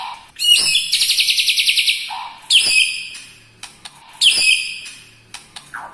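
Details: A white-rumped shama's song stuffed with lovebird, kapas tembak and cucak jenggot mimicry: low chirps lead into a long, fast, buzzy trill, then shorter ringing phrases and scattered clicks.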